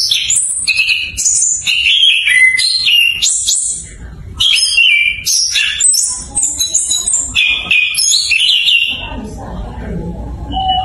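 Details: Orange-headed thrush, locally punglor kembang, learning to sing in full as a lure for stalled thrushes: lively jumbled whistled phrases at high pitch, with a soft low humming background and a quieter ending.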